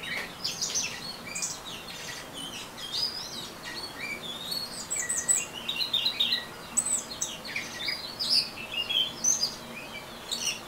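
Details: Orange-headed thrush singing in the ngeriwik style: a dense, rapid run of varied high chirps, whistled slurs and twittering notes, almost continuous with short gaps, set against a faint steady background hiss.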